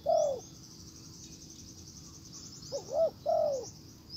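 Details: Spotted dove decoy calling a wild bird: one long falling coo, a pause of about two seconds, then a bouncing double coo and another drawn-out downward coo, over a high background chirr.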